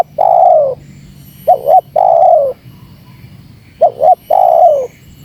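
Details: Provoking lure call of a spotted dove. It opens mid-phrase on a long falling coo, then gives two more phrases of a quick double warble and an extended descending coo, clean against a faint background hum.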